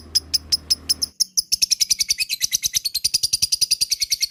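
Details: Lovebird giving a long ngekek chatter, played as a lure to get other lovebirds calling: rapid, high, sharp chirps repeated about seven times a second in a steady run, after a short opening with a low hum beneath the first notes.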